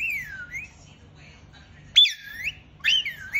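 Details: Pet rose-ringed parakeet, called mithu, giving whistled calls that dip and rise, a few separated bursts with long quiet pauses between them.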